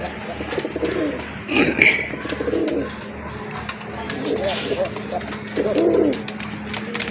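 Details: Pigeons from a collection kept for sale give low, rolling coos, repeated about every one to two seconds, over a steady electrical hum with faint chatter and rustling in the background.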